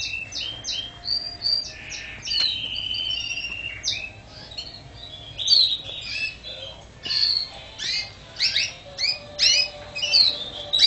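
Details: Canary singing a varied, broken phrase of bright chirps, short trills and sharp upslurred notes, delivered in bursts with brief pauses between them.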